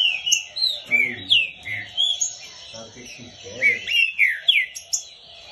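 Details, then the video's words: Green-winged saltator singing at length during training. Clear whistled phrases slide up and down in rapid, irregular bursts, with high thin notes overhead and low murmuring voices beneath some phrases. "TRINCA CANTOU MUITO NO TREINO"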